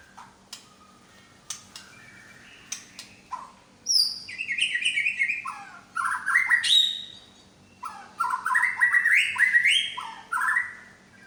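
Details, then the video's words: White-rumped shama of the Medan type, a kept songbird showing its imitated repertoire: scattered clicks and short whistles, then loud rapid runs of varied warbled and chattering phrases, broken by brief pauses. "BURUNG MURAI BATU MEDAN BONGKAR ISIAN"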